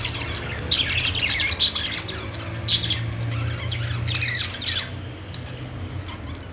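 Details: Budgerigars (Melopsittacus undulatus) chatter in quick, scratchy high chirps and squawks, bunched in bursts every second or so over a low steady hum.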